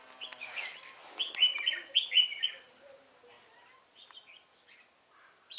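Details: Red-whiskered bulbul used as a lure bird for trapping, recorded 1 November 2017: bright, chirpy whistled notes delivered in quick clustered bursts, then softer scattered notes fading out.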